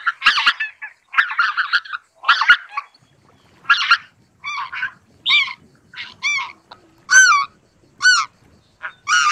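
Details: Greater white-fronted goose gives a steady series of ringing, slightly wavering honks, harsher and more crowded at first, clearer and evenly spaced later.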